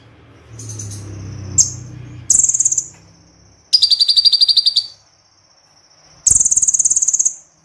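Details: Konin, a crossbred white-eye, giving 'tembakan' song: shrill high rattling trills lasting up to a second, separated by thin sustained whistles and brief silences, with faint low rumble early on.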